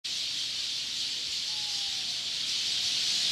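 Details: In the evening, a huge flock of Eurasian tree sparrows gathered in a park tree, recorded from directly beneath it, makes a dense, steady wash of high chirps that blur into one unbroken hiss echoing all around.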